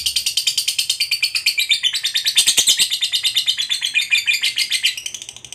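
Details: Lovebird of the fighter type giving a long ngekek chatter meant to provoke other lovebirds into singing: a fast, continuous run of high, harsh, buzzy notes repeated several times a second, swelling slightly in the middle, with no other sounds.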